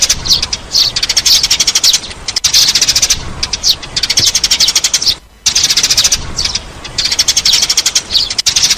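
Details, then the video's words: Eurasian tree sparrow lure recording: long runs of rapid, high chirps in repeated bursts, with one clear silent gap partway through. "Tiếng Chim sẻ mồi hay - tiếng chim sẻ nâu"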